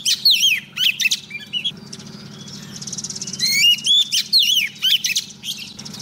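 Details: Lure female Oriental magpie-robin calling a male in song. Varied fluty whistles, slurred up and down, come in short groups through the clip with a constant low background drone.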